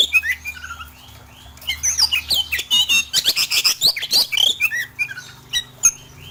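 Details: Rough fill-in song of the oriental magpie-robin, played to train birds into full song: sparse chirps build into a dense run of harsh, scratchy, rapidly repeated notes, about three to four a second, then thin out again, with a faint low hum beneath.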